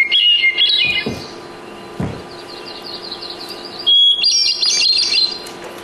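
Hermit Thrush song: clear, flute-like phrases, each opening on a held note and spiralling upward, the second pitched higher than the first. A couple of dull thumps break in.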